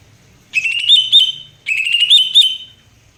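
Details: Greater green leafbird song in two loud whistled phrases about a second apart, each wavering and rising in pitch with sharp accents near its end; background otherwise quiet.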